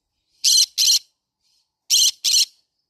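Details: Green-cheeked conure parrot screeching: two quick pairs of loud, grating, buzzy squawks about a second and a half apart.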